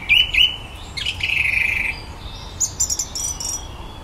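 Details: Common blackbird mimicking electronic noises during evening garden song: two quick chirps, a long level buzzy electronic tone lasting about a second, then a flurry of very high clicking notes.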